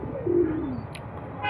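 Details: Old-bloodline desi highflyer pigeon from Bangladesh giving a single low, soft coo lasting about half a second, sliding gently downward, over a faint background hiss.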